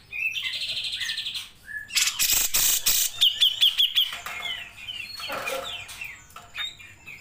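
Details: Grey-cheeked bulbul in long 'nembak' singing, recorded as a master track for training songbirds. Clear whistled notes open, then a harsh broadband burst, a quick run of about six sharp repeated notes, and further scattered downslurred whistles.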